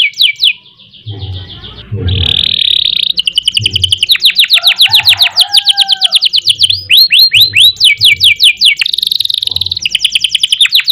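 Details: Canary delivering a long, lively song of rolls and sharp bursts, used for training other birds: buzzy high trills alternate with rapid rattling series of descending notes, some lower whistled slurs, and faint low thumps in the background.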